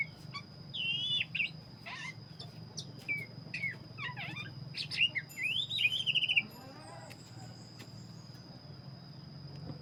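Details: Oriental magpie-robin, black-breasted type, in energetic song: wavering whistles, sharp downward sweeps and a fast trilled phrase ending after six seconds, followed by quieter faint notes, over a steady high whine and low hum.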